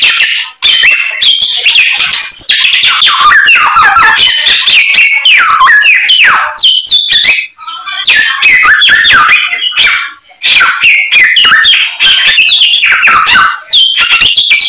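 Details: Long loud passage of white-rumped shama song full of imitated phrases. Dense clusters of rapid whistles, clicks and slurred notes are broken by a few short gaps, then the bird resumes with fresh bursts.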